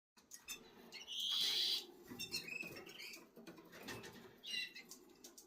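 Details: Black red mosaic jaspe SD canary, 11 days old. High thin squeaky calls near the top of the range, with one loud drawn-out shrill call lasting under a second, then scattered shorter chirps amid rustling.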